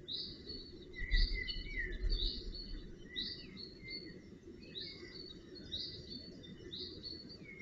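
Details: Young northern goshawks at the nest, tended by adults, recorded 4 June 2018. Repeated high whining, slurred calls come about once a second, overlapping a lower slurred note series, over constant low-pitched background noise.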